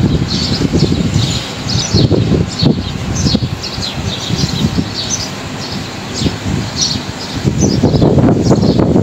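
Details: Wild birds chirping in trees on a fine day while strong wind thrashes the branches. Short high chirps repeat quickly and unevenly throughout. Heavy wind rumble and rustling leaves dominate beneath them.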